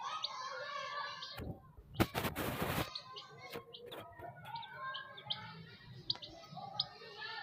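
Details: Chicks chirping indoors: high, short peeping notes repeated irregularly, broken by a loud burst of flapping or rustling noise partway through.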